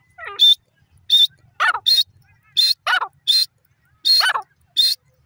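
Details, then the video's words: Grey francolin, locally desi teetar, calling with loud piercing short notes spaced about half a second apart, alternating with rasping phrases that tumble downward in pitch. "grey francolin long vioce,desi teetar awaz"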